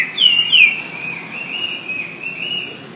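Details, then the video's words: Wambi song used as master audio to train songbirds: a clear whistled note that dips and rises twice, then stretches into a long, gently wavering whistle lasting over two seconds, over faint background hiss. "Suara WAMBI"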